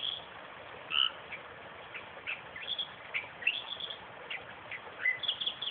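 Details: Western reed warbler singing in a suburban park 20 km south of Perth: harsh churring phrases broken by a few clear, sharp whistled notes, delivered in irregular bursts with short pauses between them.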